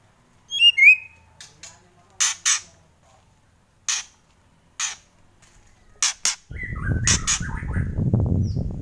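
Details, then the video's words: White-rumped shama starting with a twisting high whistle, then a series of harsh rasping bursts spaced about a second apart; a rumbling background noise comes in near the end. "Kretekan Murai Keras"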